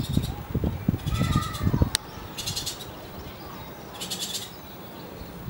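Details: Bullock's oriole nestlings producing harsh, rapidly pulsed buzzy bursts repeated every second or so, with low thumping handling noises and a sharp click early on.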